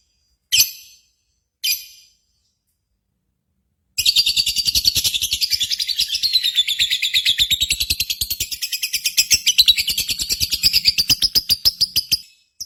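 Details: Lovebird song used as a contest-style lure for home birds: two short high chirps, a pause, then a long continuous chatter of very fast, high, buzzy notes lasting about eight seconds before stopping abruptly.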